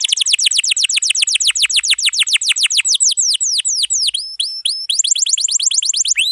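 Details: Atlantic canary tutor song of long rolls, used to train young canaries and ones that stopped singing: rapid series of high descending sweeps repeated several per second, shifting into slower upward notes and buzzy tones, then fast sweeps again.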